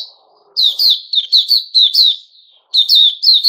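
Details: Kept sooty-headed bulbul (Puteh Raja), recorded 10 July 2021, delivers a quick string of sharp, slurred chirps. A brief pause follows, then two more notes, with faint murmur beforehand.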